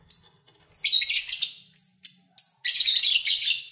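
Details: Lovebirds in captivity, heard while eating and having fun: a lone high chip, then a scratchy, buzzing chatter phrase, three quick piercing chirps, and a final long burst of grating, shrill chatter.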